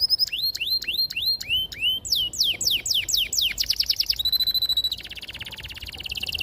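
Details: Tutor song of a canary for young birds learning to sing: a series of loud rising-then-falling whistled swoops, quicker descending slurs, then a steady fast roll and a lower buzzy trill.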